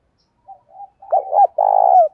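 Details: Spotted dove calling to challenge a rival, in the local voice style called thổ: soft low coos lead into two looping mid-pitched notes, then a long, loud, rolling coo that falls at the end. No other sounds.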